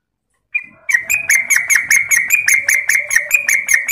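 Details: Yellow-vented bulbul (trucuk), Klaten, in a fast 'ropel gacor' lure recording: after a short opening note, a rapid run of sharp, bright chirps, about two to three per second, bouncing slightly in pitch, over a faint low murmur.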